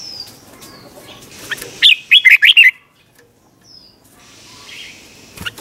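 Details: Red-whiskered bulbul giving one crisp, bubbly phrase of four or five rapid notes, part of a doubled-style song used to train young birds, amid light background noise and a faint distant whistle.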